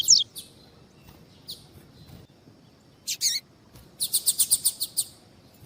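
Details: A captive double-collared seedeater (coleiro tuí-tuí), recorded alongside a calling female to stir up a male, gives scattered high, thin chirps, then a quick run of about eight bright, sharp notes near the end.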